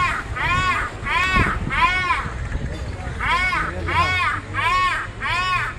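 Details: Crow, in a mating context, gives seven harsh, arching caws in two runs of three and four, split by a pause near the middle, over a steady low rumble of background noise.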